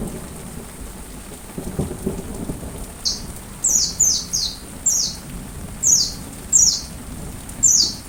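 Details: Sunbird song for coaching a white-rumped shama to sing, set against rain and rumbling thunder; after a few seconds, thin, falling, slurred notes repeat roughly every half second to second.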